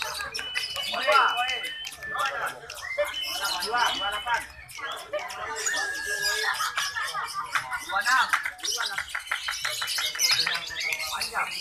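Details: Lovebirds at a bird-song competition in Antirogo, Sumbersari, Jember, East Java, Indonesia chirp in fast, shrill, twittering runs, with many birds and human voices mixed in.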